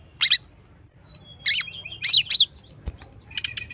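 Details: Brown-chested jungle flycatcher lure song: spaced harsh chirps and scratchy notes, a thin high whistle, and a closing cluster of quick buzzy chips.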